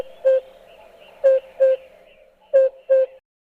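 African Cuckoo giving soft, low, hollow hooting notes in pairs, 'hoop-hoop', with a pause between each pair. The background is quiet.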